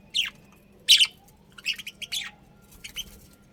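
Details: Chirping budgies at home: loud harsh high calls spaced irregularly, about one every half second, some doubled, mixed with softer twittering notes and a faint steady background hum.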